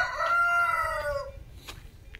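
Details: Farm rooster at a grandfather's farm on the road to El Roble village, crowing on a Sunday: one long, steady, harmonic-rich crow lasting over a second, dropping in pitch at the end, followed by quiet background noise.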